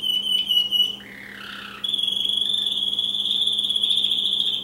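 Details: Male American Singer canary singing: a brief high trill, then a softer lower warbling passage, followed by a long, rapid, level rolling trill held to the end over a faint mains hum.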